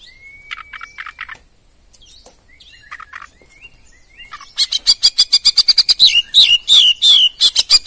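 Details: Champion oriental magpie-robin opening with a long level whistle and soft scattered notes, then launching into a loud rapid series of harsh chirps and twisting whistles.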